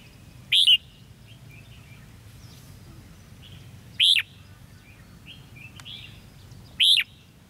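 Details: Red-whiskered bulbul recorded at a decoy fighting trap on 13 February 2016, giving three short, loud, arched chirps spaced about three seconds apart, with softer bird notes between them and steady background hiss.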